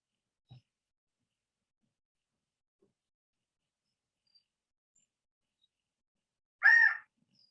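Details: A California quail in Los Angeles County gives one loud, ringing call near the end after near silence, with a soft low thump early on; call.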